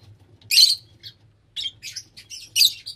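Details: Lovebirds calling: a burst of harsh, buzzy, high squawks, then a run of shorter scratchy chirps in quick uneven succession, with a faint low hum beneath.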